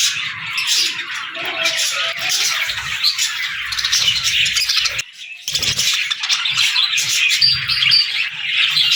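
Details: Young budgerigars playing, chirping and talking in a group: dense, continuous high chatter of overlapping warbles and chirps, with a brief pause midway before the busy twittering resumes.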